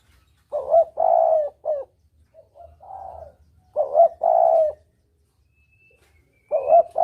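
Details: Spotted dove calling in the double-kuk style used as a hunting lure: low mellow coos in a phrase of a short note, a long drawn coo and a clipped ending, repeated after pauses, with a faint thin whistle in the background.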